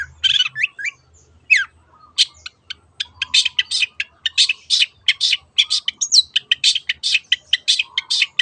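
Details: Long-tailed shrike, cendet, performing 'teot teot' song used to prompt other birds to sing: an almost unbroken stream of sharp, rasping clicks and harsh notes, with a couple of slurred whistles.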